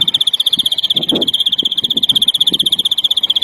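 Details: European greenfinch, larguero song for educating young birds (2021): a fast, steady rattling trill of evenly spaced notes at constant high pitch, about four per second in the loudness beats, over soft background knocks.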